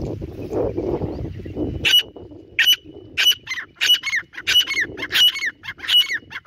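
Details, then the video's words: Grey francolin (dhakni teetar) in the jungle: after a few seconds of low rumbling noise, a rapid series of harsh, ringing notes with whistled tails begins, repeated about every two-thirds of a second. "Dhakni Teetar | Teetar ki awaz | Dhakni Teetar Shikar Voice | teetar Voice in the Jangle"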